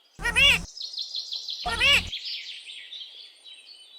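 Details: Pet parrot talking, calling its mummy and asking for roti. Two loud, harmonic, speech-like bursts about one and a half seconds apart, with steady thin, high twittering chirps running underneath and trailing off afterwards.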